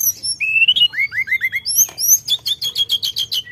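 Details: Sooty-headed bulbul in full song: a long rising whistle, then four quick downslurred notes and high sweeping phrases, ending in a rapid rattling series of clipped notes.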